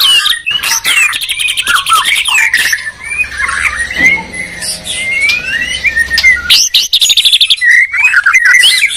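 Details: White-rumped shama song duel between Medan and Borneo birds, territorial rivals: rich varied phrases of whistles, rising and falling slurs and rapid stuttering notes, densely overlapping; a faint low hum runs beneath the middle section.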